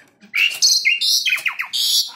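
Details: Tame, actively singing Asian pied starling used as a lure to draw other birds into song; a quick run of high whistled and chattering notes, some sliding downward, packed closely together.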